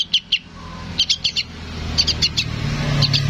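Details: Chick of a sooty-headed bulbul calling to its parent with short groups of high chirps, while a vehicle rumble grows louder.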